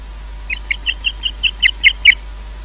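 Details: Osprey at the Loch Garten nest in Scotland at 19:20, as the bird brought a fish and took it away, giving a run of about ten sharp, high whistled chirps, roughly five per second, growing louder toward the end.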